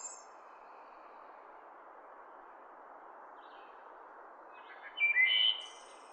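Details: Forest wood thrush, mostly quiet hiss with a faint high note early, then one song phrase near the end: brief low notes, a bright whistle and a thin high trill.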